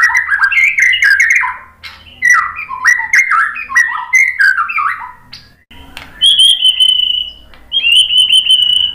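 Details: White-rumped shama song for prompting other birds to answer: dense chattering and whistled phrases in bursts, followed by two long, steady high whistles with a slightly buzzy edge.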